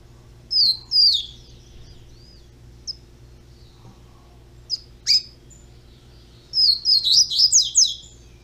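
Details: Young double-collared seedeater, a breeder's bird: scattered thin high slurred whistles and short sharp notes, ending in a quick tumbling run of downslurred phrases over a faint low hum.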